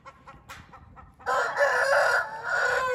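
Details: Hint rooster (Indian game fowl) crowing: after a second of faint clucking, one loud, harsh, drawn-out crow holds steady for nearly two seconds before easing off at the end.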